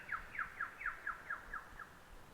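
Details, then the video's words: Lyrebird mimicking other birds' calls in Bungonia National Park, NSW, Australia, in May 2020; a quick even series of eight bright downslurred notes, each dropping in pitch, about four per second, over a quiet background. "I've just stopped to have a little break here because behind me, hopefully you can hear it, there's a lyrebird going through all its calls."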